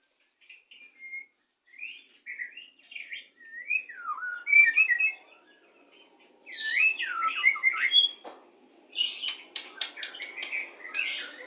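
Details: Pastol-type white-rumped shama song played while pairing birds to bring on breeding condition: clear looping whistled phrases, rising and falling, in separate bursts, ending with fuller, faster warbled phrases and sharp clicks.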